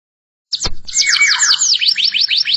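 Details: Canary song opening after half a second of silence with a low thump, then rapid descending whistled sweeps and trills that shift into faster rising notes, loud and continuous.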